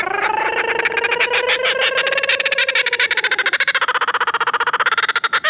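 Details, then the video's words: Captive kookaburra at Croc World laughing on cue during a trained behaviour session rewarded with treats: a loud, rhythmic, harmonic cackle of rapid pulses that rises then speeds into a quicker chattering run. "Kookaburra LAUGHING!"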